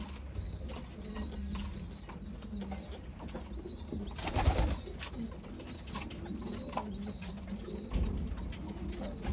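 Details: White homing pigeons cooing: low, soft rolling coos repeat throughout over a steady hum. Thin, high chirps from other small birds sound now and then, with a brief louder rustle midway.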